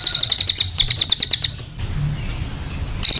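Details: Vigorous brown cililin delivering a fast, high, ticking trill for about one and a half seconds, then near silence before a new burst begins.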